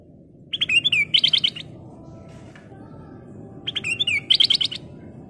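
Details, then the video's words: Black-crested bulbul in full song, kept as a lure for other birds: two phrases, each opening with chirps and a falling slurred whistle, then a fast stutter of sharp high notes, separated by about three seconds of low background noise. "Kicau Burung Burung Kutilang Emas Gacor full isian"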